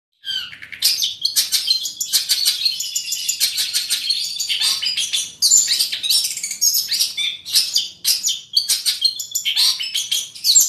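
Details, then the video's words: Long-tailed shrike song: a continuous, rapid jumble of harsh chatters, scratchy notes and high whistled phrases, dense and varied throughout, with no other sounds. "kicau Cendet Daput"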